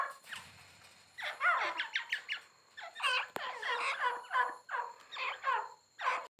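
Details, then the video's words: Grey francolin giving a series of harsh, grating notes in short rising bursts, coming faster and louder toward the end, with brief gaps between bursts. "grey francolin and nice voice"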